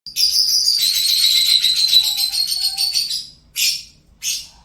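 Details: Pet lovebird singing: a long, dense, buzzy chatter of rapid high notes for about three seconds, followed by two short harsh bursts after a brief pause.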